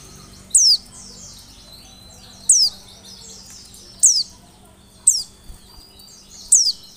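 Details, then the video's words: Lure call of an Oriental white-eye: five piercing, high, descending notes spaced one to two seconds apart, with faint twitters in between, over a light background hiss. "PANCINGAN PLECI"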